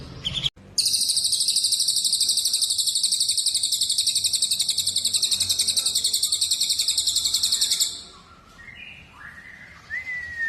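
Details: Songbird tutor recording naming cucak jenggot, cililin and kenari: a long, even, very high rattling trill runs about seven seconds, then stops, followed by a few thin rising whistles.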